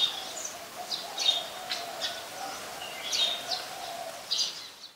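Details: Streak-eared Bulbul, a very common resident, at Ubon Ratchathani, Thailand, on 2 January 2021: sharp, high chirping notes given in short irregular bursts, with a faint low steady hum underneath.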